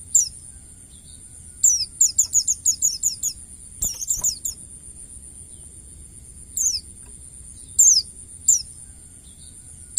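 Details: Wild white-eye song used to train songbirds: a rapid run of about eight high, descending chirps, a click, then single sharp notes spaced a second or so apart, over a constant high whine.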